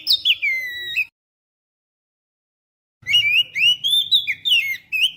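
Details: Oriental magpie-robin song used as a lure to attract birds: loud, clear whistled phrases with sliding, warbling notes, a short burst then a pause of two seconds before a rapid run of varied whistles.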